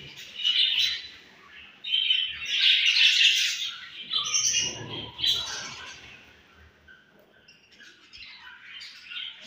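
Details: Home-bred budgerigar chicks, kept as pets, giving bursts of high scratchy chirps and squawks in clusters, with louder squabbling chatter near the middle and quieter calls toward the end.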